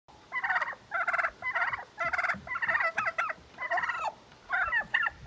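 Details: A bronze turkey hen, upset with a white tom, yells at him: about nine raspy, nasal yelps in a steady run, close to two each second, some broken into rapid stutters.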